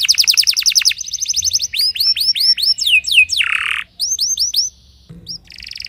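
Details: Timbrado canary singing during early morning training, fast trilled notes giving way to spaced arched whistles, a harsher buzzy burst, then more rising whistles and a brief low sound.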